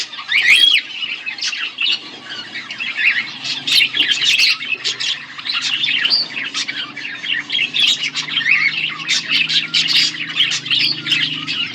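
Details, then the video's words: Budgerigar pair kept as pets, chattering continuously: dense, rapid streams of scratchy chirps and warbled notes with little pause, along with a faint low steady hum in the background. "Budgies chirping sounds"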